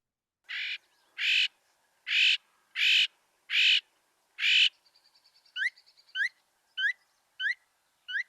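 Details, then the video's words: A Northern Mockingbird sings, repeating each phrase three or more times: a harsh, raspy note given six times in a row, then a thin, sharply rising chirp repeated five times. "the Mockingbird repeats everything three or more times so let's listen to that Northern Mocking Bird"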